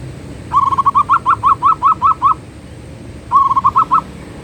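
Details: Zebra dove (perkutut) in manggung song: a long phrase of about a dozen quick cooing notes, short at first then more emphatic, a pause, then a shorter repeat of five notes.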